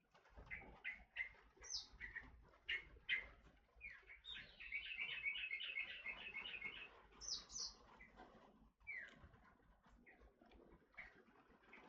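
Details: Forest oriole (kepodang hutan) calling: short, sharp, repeated chirps, then a sustained trilled passage of quick notes lasting about two seconds, then scattered chirps that fade out near the end.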